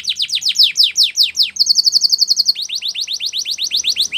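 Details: Spanish Timbrado canary training song, loud descending chip notes repeated rapidly, a second of quick high metallic trill, then more fast falling notes.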